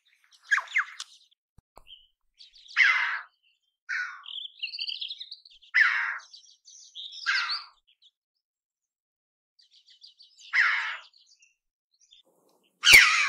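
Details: Red-billed chough giving a series of harsh, grating calls at irregular intervals, some with a buzzy middle tone, mixed with scattered high twittering notes and a sharp loud burst at the end.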